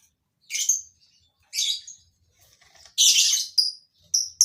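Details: Captive lovebirds in a colony breeding enclosure give several piercing, rasping chirps spaced about a second apart, then a longer harsh burst and quick high notes.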